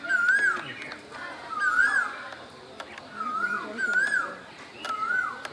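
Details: Springtime Asian koel from Bangladesh, five fluty undulating whistles spaced roughly a second apart, softer toward the end, with scattered high bird chips around them.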